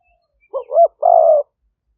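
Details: Single phrase from a decoy spotted dove luring wild doves in Roi Et, Thailand, recorded by smartphone in 2021: a quick wavering double note rising into a loop, then a sustained burry coo lasting about half a second.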